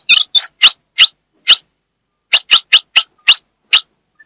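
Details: A female ultramarine grosbeak, calling and chattering, gives a series of short, harsh, high chipping notes, about a dozen in quick irregular bursts, with no other sounds.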